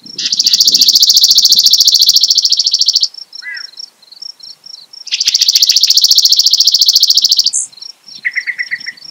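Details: Chipping sparrow singing two long, dry, high trills of rapid chips, each about two to three seconds, with soft chips between and a Yellow-breasted Chat's short notes joining in at the end.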